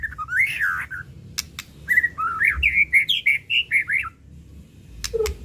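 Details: Song of a white-rumped shama: slurred whistles, then a series of rising and falling notes repeated about three per second, ending with a short low note.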